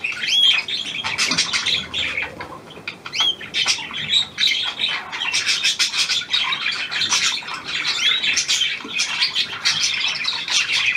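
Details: Recorded 17 February 2023, a newly acquired hand-tame Australian pied budgerigar keeps up a dense warble of scratchy chirps, clicks and short whistled upsweeps, with small gaps between bursts.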